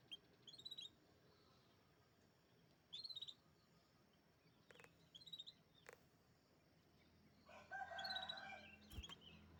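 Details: Champion canary producing brief clusters of rapid high twittering notes about every three seconds, with a few sharp clicks and a short burst of broader rustling noise near the end.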